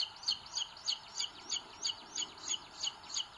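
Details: In a Spanish nest in Sierra de Guadarrama National Park, 2022, booted eagle chicks squabble, the larger pecking the little one, on a live webcam; sharp high piping notes, each a double peep, come roughly three per second.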